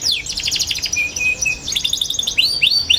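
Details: Twittering song of a young canary, played to teach other young canaries: rapid high trills, short flat whistled notes, then curved upslurred chirps repeated quickly toward the end.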